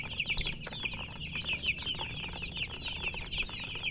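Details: Colour chickens chirping: many overlapping high, thin, rapidly repeated peeps fill the whole stretch, with a low rumbling background beneath.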